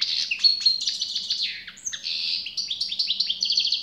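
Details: European goldfinch singing a rapid, bright twittering song of high tinkling notes and short trills, delivered in two continuous bursts with a brief gap near the middle.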